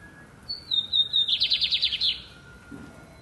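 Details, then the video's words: One phrase from a lined seedeater singing loud and deep: a high whistle gliding gently down, then a quick burst of about ten buzzy, evenly spaced pulses, followed by quiet. "Bigodinho Sintonia cantando alto e grosso!"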